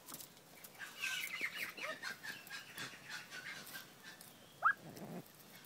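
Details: Two one-year-old juvenile Lady Amherst's pheasants kept in a small urban aviary in Melbourne, Australia, planted with bamboo and cypress and set with rocks; a single sharp upslurred chirp rings out near the end over scratching and rustling clicks.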